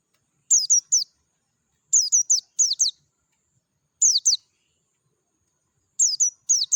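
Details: Clear song of a wild Dakun-type Oriental white-eye in nature: groups of two to three thin, very high, falling whistled notes, with five bursts separated by short pauses and a quiet background.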